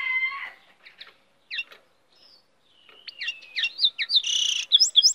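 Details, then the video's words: A goldfinch hybrid sings a quick, varied run of high twittering chirps, buzzy notes and liquid trills, broken by brief pauses. "cante de hibrid de sticlet - Mixto de Jilguero - الهجين الحسون"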